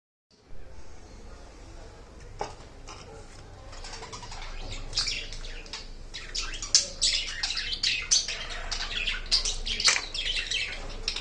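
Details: Nesting, breeding budgerigars chatter in quick, scratchy chirps and squeaks that build into busy, overlapping bursts.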